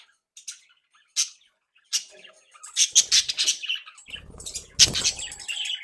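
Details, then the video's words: Active, mischievous captive budgerigars: scattered sharp squawks at first, building into a busy stretch of overlapping raspy calls with low rumbling and rustling underneath. "Periquitos Australianos traviesos activos y juguetones 🧶🎡SONIDOS para periquitos solitarios"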